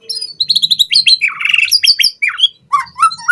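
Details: White-rumped shama song meant as a lure for training captive birds, a dense rush of rapid whistles, trills and descending slurred notes with hardly any pause.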